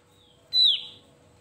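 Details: A Javan grey-throated white-eye sings to provoke rivals: one loud, high whistled note, sharp at the start and then gliding downward over about half a second, preceded by a faint softer whistle, with a quiet steady hum behind.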